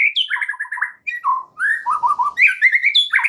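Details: Continuous varied song of a white-rumped shama, played as a lure to make a shama sing its full repertoire: rich warbling phrases alternating high and low, with rapid repeated notes and fluty slurs.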